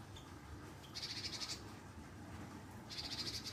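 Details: Java sparrow calls used as a lure to draw a reply from other birds: two bursts of rapid, stuttering high notes, each about half a second long, over a steady low hum.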